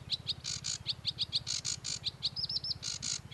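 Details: Sedge warbler song: a varied mix of short high chips, harsh buzzy bursts and a quick run of clear looping whistles, delivered rapidly with a steady low hum beneath.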